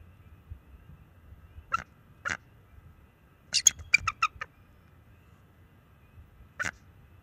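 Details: Nest-defending bald eagle warning an owl away, March 7, 2024: a couple of single high yelps, then a fast stuttering run of shrill chittering notes, and one final isolated yelp against quiet background.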